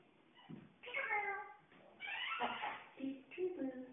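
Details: African grey parrot kept as a pet, playing peekaboo in a room: several drawn-out, meow-like harmonic squawks and chattering vocal phrases follow one another.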